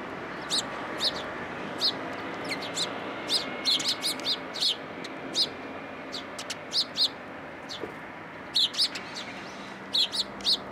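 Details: Sparrows arriving at a post to be fed at a Tenmangu shrine, 22 October 2022: a busy stream of bright, short chirps, singly and in quick clusters, many overlapping, over low background hum.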